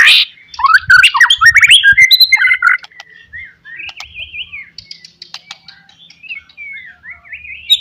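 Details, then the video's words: White-rumped shama pouring out a varied lure song to stir up rivals: a dense burst of rapid chattering notes and whistles, followed by quieter, wavering whistled phrases. "SUARA BURUNG MURAI BATU, PANCINGAN MURAI BATU PASTOL NGOTOT MEMBANGKITKAN EMOSI LAWAN"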